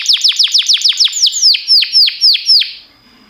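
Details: Singing canary used to train other canaries: a series of clear descending whistled notes, quick at first and then slowing to about three a second before fading out.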